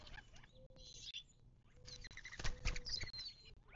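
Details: Wild birds at a western Mojave Desert watering hole near Joshua Tree National Park, 19 March 2024: high chirps and short steady mid-pitched whistles, with loud broadband rustling and scratching near the end.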